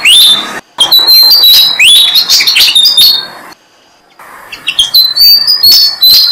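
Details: Malaysian pied fantail parents feeding six-day-old baby birds on a jam tree; rapid high-pitched whistles and rising squeaks, a short silence, then more thin piping calls building again.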